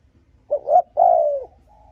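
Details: Spotted dove giving its coo to provoke and lure rival males: a short note, a swelling second note, then a sustained mellow coo falling away, followed by a faint soft tone.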